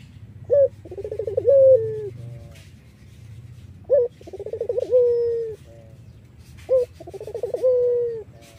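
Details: An "Iraqi" variety collared dove gives three low, rolling coo phrases about every three seconds, each a short clipped note then a longer purring coo, used as a lure for other doves.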